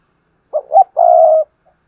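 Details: Spotted dove used as a lure bird to make new doves coo: one clear phrase of a short note, a rising note and a long level mellow hoot.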